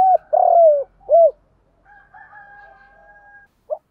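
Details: Spotted dove giving its coo to stimulate males in training: a long buzzy falling coo and a rounded closing note, followed by a faint steady tonal sound and the onset of the next phrase.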